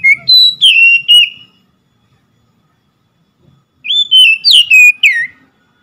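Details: Oriental magpie-robin phrases of rich whistles: four sliding notes, a two-second silence, then a livelier run of five twisting whistles that ends on a falling note.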